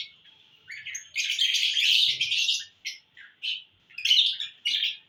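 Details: Lovebirds in a happy mood, recorded June 1, 2022: bursts of shrill, harsh chirps, some brief and some running together for about a second, broken by short quiet gaps.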